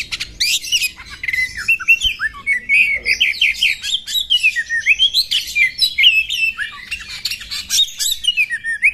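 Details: Female Oriental magpie-robins fighting, a hurried jumble of twittering chirps, whistled slides and harsh clicks running without a break.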